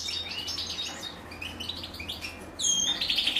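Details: Female European goldfinch feeding chicks; thin high chirps and short descending twitters, growing louder and busier near the end as the begging intensifies.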